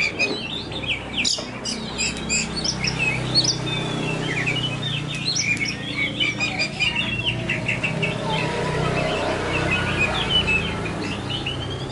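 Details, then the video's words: Oriental magpie-robin, kacer poci type, singing as bird therapy: busy chirping and twittering phrases of short sweeping whistles, continuous and overlapping, against a steady low rumble of background noise. "terapi kacer poci"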